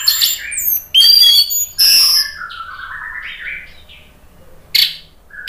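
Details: Orange-headed thrush song for provoking a bird to reply: rich, loud squealing notes give way to a softer, wavering, slowly falling warble, ending with a single sharp high note.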